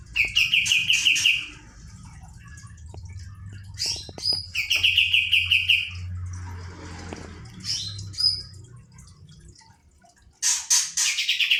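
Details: Kapas tembak bird in rolling song, recorded as a tutor to excite other birds: several separate bursts of fast repeated trilling notes, broken by high sharp calls and quiet pauses.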